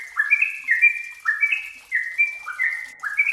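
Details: Yellow-vented bulbul singing in a recording meant to coax other bulbuls into song. Rapid paired whistles are heard, each a higher note dropping to a lower one, repeated about every half second.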